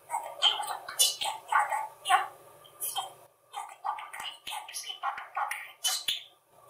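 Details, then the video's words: A pet male budgerigar talks to himself and his owners in Hungarian, giving a quick, scratchy stream of mimicked words like "cuki madár" mixed with chirps and clicks, in short bursts about every half second. "a beszélő hullámos papagáj"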